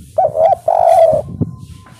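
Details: Spotted dove in the 'kuk 3' style, kept as a lure to prompt answering calls: a short hollow coo followed by a longer level one, then quiet with a faint tapping noise.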